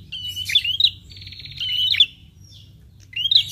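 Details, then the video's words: Prinia calls used as a lure: twittering upslurred chirps, then a sustained buzzy trill lasting about a second, then more chirps. Soft low-frequency noise in the background. "PRENJAK LANGSUNG NYAUT DENGAR SUARA PIKAT INI"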